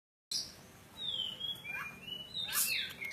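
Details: Oriental magpie-robin of the Javan kacer poci type, singing insistently: varied clear whistles, with a long falling slur, short rising notes and a harsh, loud burst near the end.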